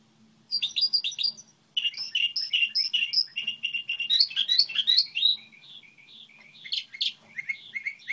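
A goldfinch hybrid sings a fast, jumbled run of bright twittering notes and liquid trills, high-pitched and nearly continuous, with a faint low hum underneath.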